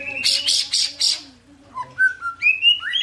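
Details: White-rumped shama performing tembakan and isian song: a few harsh buzzy bursts, then a sequence of clear whistled notes stepping upward in pitch, with a faint low hum beneath.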